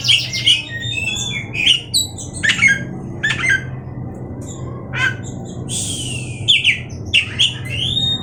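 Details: Oriental magpie-robin singing in bursts of sharp, whistled and scratchy high notes, some sliding downward, with short pauses between phrases over a steady low hum.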